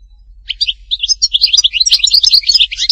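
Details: Singing European goldfinch of the Htatba style, Tipaza, Algeria: after brief silence, a quickening series of high tinkling chirps and short trills that grows denser and louder.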